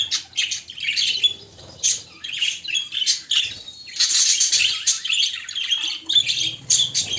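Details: Courting budgerigars chatter in bursts of scratchy, squeaky warbling, with brief lulls and a louder sustained stretch in the second half.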